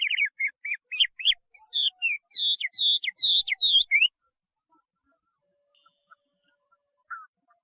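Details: Chinese hwamei singing a loud burst of quick, repeated whistled notes that rise into ringing, swooping phrases for about four seconds, then falling quiet except for one faint later note.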